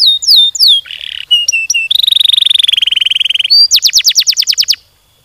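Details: Canary in full song with long rolling passages, used to prompt other canaries: quick descending chirps, short flat whistles, a sustained buzzy roll for about two seconds, then a fast series of high sweeping notes.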